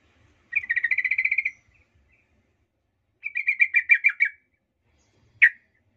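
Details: Sooty-headed bulbul lure song, used to make other males angry: two rapid chattering bursts of bubbly notes near one pitch, each about a second long, then a single sharp note.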